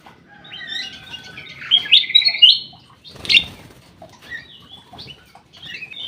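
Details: Aviary black-crested bulbul, locally cucak emas or kutilang emas, delivers a warbled, slurred whistling phrase, interrupted by a wingbeat burst, then quieter scattered chirps.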